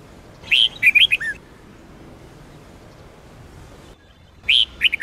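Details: Red-whiskered bulbul of the Sông Kôn style, used for training caged birds to sing: two bursts of bright warbled whistles, a rising slur then quick descending notes, the second phrase cut short, with quiet background between.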